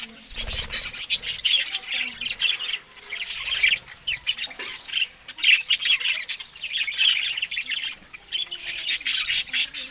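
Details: Morning feeding of Australian budgies on green food: bursts of high, squawky chirping chatter that rise and fall in waves, separated by short quieter gaps, with faint low thumps early on.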